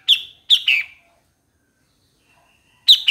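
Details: Short bursts from a bulbul: two quick, bright, descending chirps close together, then silence before another abrupt phrase begins at the end.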